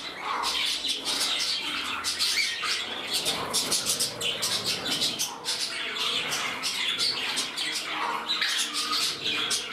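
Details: Caged budgerigars in a new home, where one bird becomes temperamental and competes for a place beside its mate. A steady, busy stream of scratchy squawks, ticking clicks and brief whistles from more than one bird.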